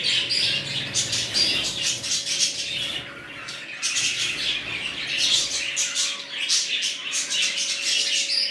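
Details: Newly established budgerigar colony, red-eyed birds included: many birds chatter together in busy high twittering and squawks, with a brief lull near the middle, above a constant faint hum.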